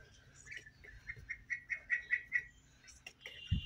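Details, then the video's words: A duck that wants to rest on a sofa gives a run of about eight short, evenly spaced nasal notes that grow louder, then stops; a dull thump follows at the end. "Duck wants to take rest on sofa | হাঁস বিশ্রাম নিতে চায় | quack"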